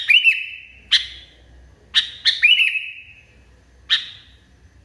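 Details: Sooty-headed Bulbul in an agitated state, giving loud, abrupt chirps at irregular intervals, some followed by a drawn-out ringing whistle that fades slowly; about six bursts.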